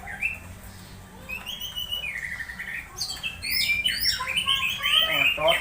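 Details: Orange-headed thrush (anis merah) with strange sounds while conditioned, played to stimulate others during misting; soft scattered whistles at first, building into loud rapid chirps and squeaky slurred notes toward the end.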